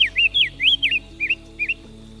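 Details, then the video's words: Diademed tanager, also called white-capped tanager, giving short whistled notes that swoop downward and then up, in quick clusters of two or three, with soft steady music playing underneath. "The Sound of the Diademed Tanager"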